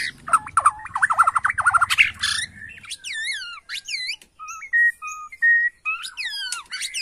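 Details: Bornean White-rumped shama lure song, used to provoke an emotional quick reply: a chattering run of rapid notes over a low rumble, then loud descending slurred whistles repeated in quick succession.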